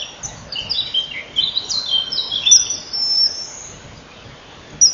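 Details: Common kingfisher nest, early morning of 12 May 2013, as the male arrives to feed and the female leaves the burrow. Piercing high whistles slide down in a jumbled series, with one short sharp note at the end.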